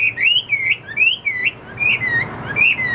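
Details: Caged Chinese hwamei, roughly 85% tame, sings clear wavy whistled phrases, each sliding up then down, repeated with brief pauses over three seconds.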